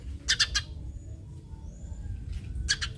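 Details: Eurasian tree sparrow call used to draw other sparrows into calling. A quick cluster of three harsh chirps opens the recording and another double chirp comes near the end. Thin high whistles and steady low background noise run between them.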